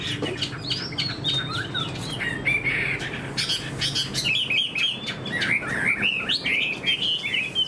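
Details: Caged Chinese hwamei, a fan-tailed bird kept for fighting that spreads its wings eagle-style, sings varied whistled phrases that slide and warble in a high register, over a low steady hum and scattered clicks.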